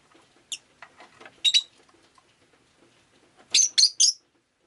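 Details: Rosy-faced lovebird kept as a pet, recorded on a rainy day: a few soft scattered chirps, then a quick burst of three loud shrill chirps near the end, with quiet background.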